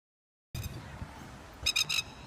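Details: A plover attacking a person: after rustling and handling noise, three loud, sharp, harmonic calls ring out in quick succession.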